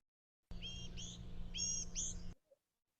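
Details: Blue-gray Gnatcatcher, a common Missouri bird, giving its nasal "whine": four thin, upslurred whining notes in under two seconds, sounding stuffy-nosed, over a steady low hum.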